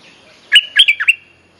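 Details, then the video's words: A bulbul's mate-calling phrase, used as a lure to teach young birds: a quick run of five loud, bright chirping notes linked by a steady high thin tone, clear against a quiet background. "เสียงนกดอกแตงEp.186 เพลงเรียกคู่ หัดลูกเสอ Suara pikat merbah lekir gacor"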